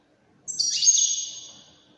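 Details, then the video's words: A single bright European goldfinch phrase of the Wedani style, opening with a sharp high descending note and running into a short buzzy twitter that fades within about a second. "تغريد طائر الحسون الويداني"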